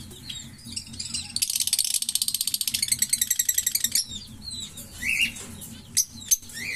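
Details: Green Fischer's lovebird pair chattering: a dense buzzy rattle of fast repeated clicks for over two seconds, then scattered high chirps and a couple of sharp squeaks over faint low hum.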